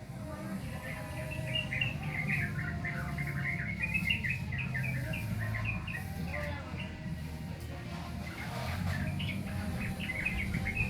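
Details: Immature sooty-headed bulbul rehearsing song: a long, rambling twitter of short chirped and slurred notes in irregular bursts over about eleven seconds, with a steady low hum throughout.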